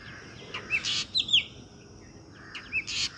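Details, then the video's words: A female black drongo, one of several around a home, comes to drink at a birdbath on a wall near trees. It gives short, sharp whistled notes and harsh buzzy bursts, high-pitched, in two bouts a couple of seconds apart, over faint hiss. "black drongo calls"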